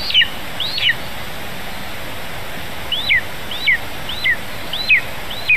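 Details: Lesser spotted eagle nestling at a nest cam in Zemgale, Latvia, on 15 July 2019 near 11 a.m., as a vole is brought to it; thin high whistled notes arching up then sliding down, two, a pause, then five about every 0.6 seconds.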